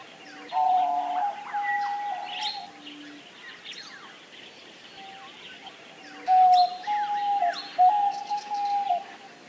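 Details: Diamond dove song of sustained, even coos, a bright layered one near the start and a second series after six seconds, with brief low hoots, set against constant chirping and twittering of many other small birds.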